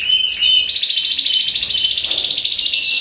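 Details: Several captive redpolls in an indoor bird room on December 8, 2022, give a dry, fast chattering trill, high-pitched and steady, with rapid buzzy pulses running for three seconds.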